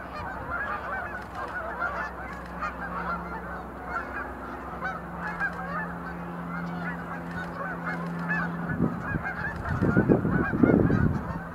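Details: Flock of sandhill cranes at Montezuma National Wildlife Refuge visitor center, November 2020, some leaping in display; a continuous chorus of rattling, rolling calls from many birds, a low steady hum, and bursts of low rumbling near the end.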